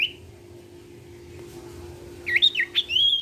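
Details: Sirtu (common iora) singing to encourage other sirtu birds to join in: one brief high whistle, a pause, then a fast cluster of looping, warbled whistles, with a steady background hum.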